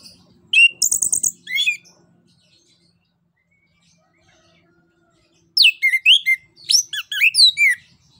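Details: Orange-headed thrush singing in the open ngeplong style, used to prompt other birds to sing: two bursts of rich, varied whistled and squeaky phrases, high slurred notes and rapid twitters, separated by a few seconds of silence.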